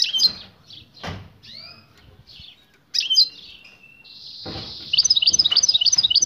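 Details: European goldfinch, a female calling so the male will mate and start singing: scattered high chirps and sliding whistles, a steady thin held tone, then a burst of quick, bright, evenly repeated twitters.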